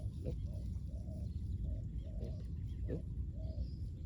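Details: Spotted dove at a ground luring decoy, giving a series of soft coos, short and drawn-out, amid constant low rumble and occasional faint voices.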